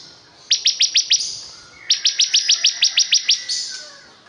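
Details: Bar-winged prinia, locally ciblek kristal, singing two bursts of sharp, high ticking notes, first five then about nine, each ending in a brief buzzy trill.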